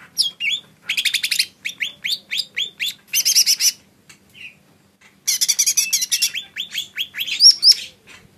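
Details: Lesser green leafbird singing in quick bursts: buzzy trills and strings of sharp, downslurred high notes, broken by short pauses and a fresh burst after about five seconds.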